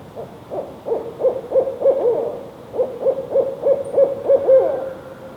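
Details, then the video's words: A male barred owl gives two quick runs of about seven deep, wavering hoots each, separated by a short pause, over a quiet background. "Male Barred OWL CALL 7x7"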